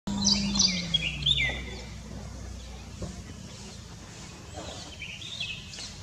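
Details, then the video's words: Bulbul, a common city bird of India, calling while perched on top of a tree: a few short bright whistled and chirping notes near the start, then quieter faint chirps over steady low background rumble. "Bulbul sound whistle"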